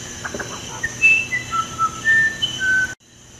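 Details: Musician wren, called true uirapuru, singing a phrase of about eight pure whistled notes that jump between higher and lower pitches, preceded by soft low chuckles, over a steady high-pitched hum.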